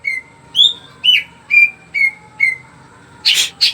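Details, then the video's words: Greater green leafbird singing vigorously, its song used as a lure to get other birds singing: clear whistled notes repeated about every half second, ending in two harsher, noisier bursts. "burung cuca ijo gacor. bagus buat pancingan biar burung cepat bunyi."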